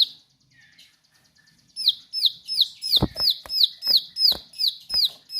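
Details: After a near-silent start, a Bar-winged prinia launches into sharp, lively 'nembak' singing: high piercing downslurred whistles repeated roughly three times a second, with loud clicking knocks among them.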